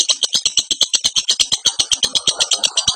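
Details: Lovebird in breeding condition, recorded as a training master for other lovebirds. A fast, steady chatter of shrill, scratchy notes repeats almost three times a second, high-pitched and unbroken throughout.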